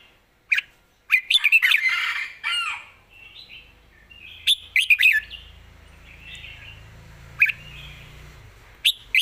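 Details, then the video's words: Red-whiskered bulbul, a rising-star bird with good phrasing, singing a fast, rich whistled phrase followed by softer warbles and then sparse, sharp single notes over a faint low rumble. "สำนวนดี ปากเบานกดาวรุ่ง"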